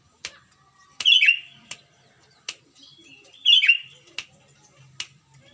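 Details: Sooty-headed bulbul from Pengalengan, Bandung, West Java, singing full, clear phrases meant to coax silent bulbuls: two quick bubbly, slurred phrases about two and a half seconds apart, separated by crisp clicking noises.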